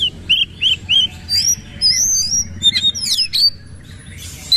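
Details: Powerful shooting-style song of an oriental magpie-robin bowing as it sings: three looping whistled notes, then high thin slurs, steep sweeps and a scratchy buzzy close.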